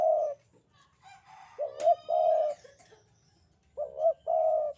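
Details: Javan spotted dove in active voice with the sandungan kuk 2 pattern: deep, hollow coos in short bursts and longer held notes, plus a brief sharp click and faint background chatter.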